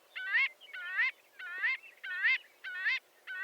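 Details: Loud, close marbled godwit calls: six reedy, nasal notes, each curving upward, repeated about every half second.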